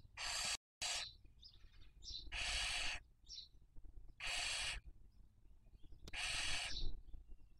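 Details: Barn owl at a breeding-season nest in Cabañeros National Park, Castilla-La Mancha, Spain, 2023, filmed by webcam while raising young. Four strong hissing bursts arrive about every two seconds, with scattered soft squeaks in the gaps.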